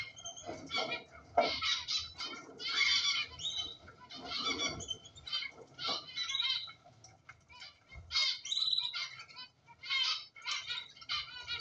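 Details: Kept cockatiels heard in a busy run of harsh squawks and chirps, overlapping bursts every second or so, with scratchy harmonic notes and short gaps between the louder phrases.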